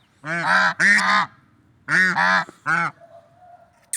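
Swans give five loud, nasal, trumpet-like honks in two bursts, each lasting a fraction of a second, with quiet gaps between.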